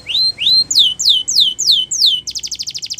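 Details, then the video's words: Canary singing a champion training song: two rising whistled notes, then a series of loud falling slurs about four per second, switching to a quick, tight trill at the end. "Canary Training Champion Song"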